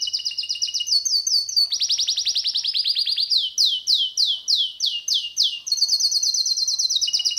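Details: Pet canary, male, singing clear fast tours: rapid falling chirps repeated in rolls, a series of loud downward sweeps about three per second, then another quick high trill.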